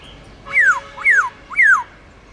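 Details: Three ringing downslurred whistles, evenly spaced about half a second apart, from a black-throated laughingthrush performing the long 'forest voice' song style used to train newly caught birds.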